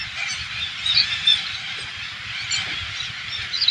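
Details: Alexandrine parakeets, a flock of hundreds invading a farm in the Thailand countryside, giving dense overlapping harsh screeching calls, a continuous high chorus with louder squawks standing out around one second and near the end.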